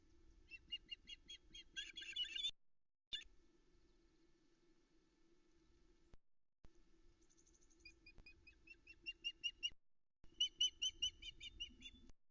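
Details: Begging female osprey on a Loch Arkaig nest camera, morning of 13 July 2020, three young nearby feeding; brief bursts of high whistled chirps separated by long quiet stretches, calls growing louder toward the end.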